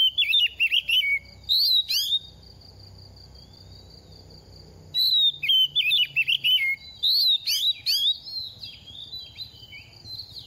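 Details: Oriental magpie-robin in moult, a quick-singing second-season bird: two bursts of fast twisting whistled phrases with sharp rising notes, split by about three seconds of near silence with a faint steady high whine.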